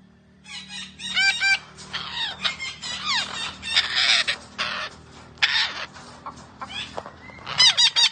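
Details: Parrot making a varied run of sounds: bending whistled notes, raspy squawks and squeaky syllables crowded together over eight seconds, with a low rumbling background.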